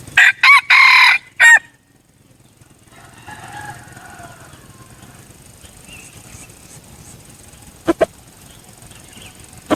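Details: Decoy red junglefowl crowing: four loud, harsh, broken bursts packed into the first second and a half, then quiet background hiss with a few sharp clicks near the end.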